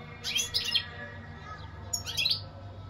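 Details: European goldfinch singing: two brief, high twittering bursts about one and a half seconds apart over a quiet background.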